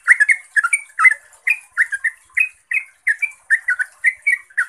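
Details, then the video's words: Yellow-vented bulbul (Pycnonotus goiavier), locally called trucuk, in full rapid song played as a lure to make other bulbuls answer: bubbly, gurgling two- and three-note phrases repeated in quick succession, mid-pitched and slightly slurred. "ROPELAN TRUCUKAN GACOR ini bikin TRUCUK lain LANGSUNG NYAUT, GACOR dan ROPEL - pancingan trucuk"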